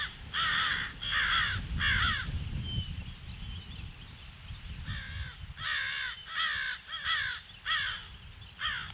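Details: Alarm cawing by crows, 18 February at 08:50: three rasping caws, a quiet gap of about two seconds, then a fresh run of six harsh caws spaced under a second apart, low rumble beneath.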